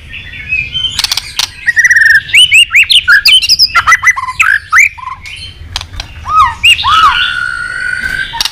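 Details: White-rumped shama, a caged bird being stirred into competition fighting song: rich varied phrases of whistled slurred notes and rising upswept notes, interspersed with sharp clicks and harsh accents, loud and continuous.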